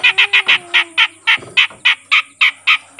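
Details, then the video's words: Grey-cheeked bulbul, a newly caught bird that has begun calling often, giving a fast run of harsh, rasping notes about four per second, each short and buzzy, with a faint low whistle underneath at the start. "suara burung cucak jenggot bahan yang mulai rajin bunyi"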